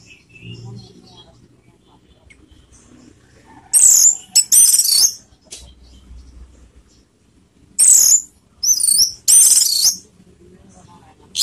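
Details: Orange-headed thrush song used to raise emotion and breeding urge; spaced bursts of loud high warbled and scratchy phrases separated by several seconds of near silence.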